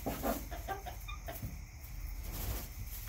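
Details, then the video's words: Several soft clucks from backyard chickens open this short stretch, fading into quieter scattered notes against a low background hum. "CHICKENS CLUCKING ASMR"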